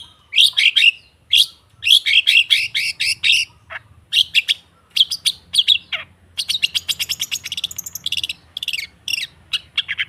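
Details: Long-tailed shrike singing, meant as a lure to get non-singing birds to open their beaks: rapid bursts of scratchy, buzzy chatter in short phrases, with a few thin falling notes, quickening into a fast rattling series toward the end.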